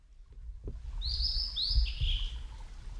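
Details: Male blue-and-white flycatcher, a summer visitor, at Yamada Ryokuchi, Kitakyushu, Fukuoka, Japan, recorded over ten years ago. It sings a brief phrase of two or three clear, high, slurred whistles over a low wind rumble.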